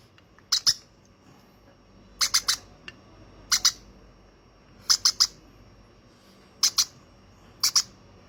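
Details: Baby conure, hand-raised, repeating short rasping squawks in clusters of two to three; six clusters spaced roughly one to two seconds apart against a quiet room.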